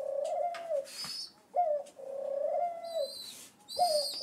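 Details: Rescued rock pigeon chicks, seven days in care, waiting for breakfast indoors; long drawn-out nasal wheezing whines alternate with brief high squeaky peeps.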